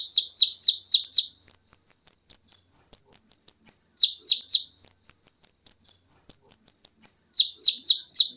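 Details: Olive-backed sunbird, recorded to train cage birds, alternating bursts of sharp downslurred chips with long runs of very high, thin, evenly pulsed notes, the pattern repeating twice without pause.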